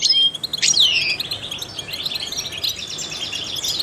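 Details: Trained European goldfinch song to stimulate songbirds: opens with loud sweeping downslurred whistles, then a steady run of fast tinkling chirps and twitters.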